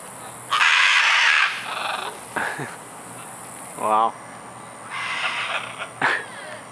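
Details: Scarlet macaws at play among trees in Tambor, Costa Rica, February 2011, giving one loud, rough, grating squawk about a second long, then softer harsh calls, with a person talking in between.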